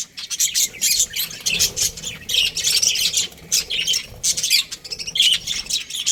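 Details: Breeding pair of Australian budgies giving continuous rasping, squawky warbles in rapid overlapping bursts, bright and high, with short gaps between phrases.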